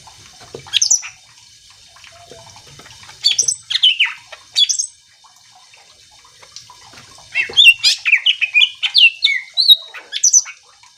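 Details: Greater green leafbird singing to rouse other leafbirds into answering: separate bursts of slurred notes early on, then a long rapid series of varied whistles and sweeping phrases toward the end.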